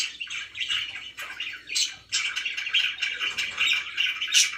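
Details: Pet budgies indoors produce harsh squawky chirps in rapid, uneven bursts, a dense chattering texture with a short break midway.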